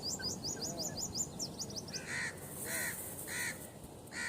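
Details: Grey francolin, male and female: a rapid series of high, thin chirps gives way to four loud, coarse, grating notes about half a second apart, over a low hum.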